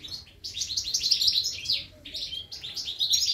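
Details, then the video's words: Goldfinch nestlings begging while being fed at the nest: a steady, shrill rush of high, overlapping chirps with brief dips between bursts and no other sounds. "Feeding the goldfinch chicks"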